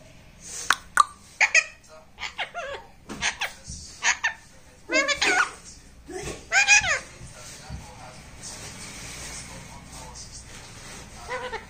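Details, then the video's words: Indoors, a pet talking parrot gives rapid bursts of chattering, speech-like syllables and giggle-like notes, several with bent, sliding pitch, then quieter room sound toward the end. "talking parrot"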